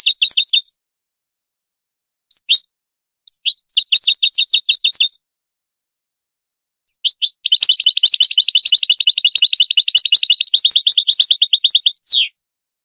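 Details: European goldfinch song from a tutor recording used to teach young birds: short bursts of rapid, high repeated chirps separated by pauses, then a long continuous twittering trill that ends in a falling note.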